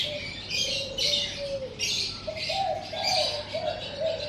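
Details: Morning birdsong outside a house, with high chirps and tweets in irregular bursts over low, smooth cooing notes that slide and repeat, and a quiet steady hum behind them.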